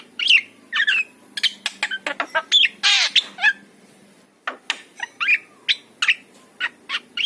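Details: Javan myna, yellow-eyed form, in a varied burst of song. Sharp whistles, clicks and squeaky rising notes mix with one loud rasping squawk, a short pause, then more quick whistled notes.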